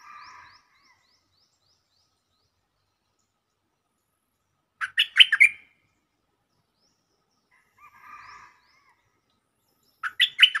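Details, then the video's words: Stripe-throated bulbul lure song: two loud, bubbly five-note phrases about five seconds apart, each closing on a drawn-out note. Softer, lower warbled chatter sits between them, along with a short series of faint high ticks. "Suara pikat merbah lekir gacor"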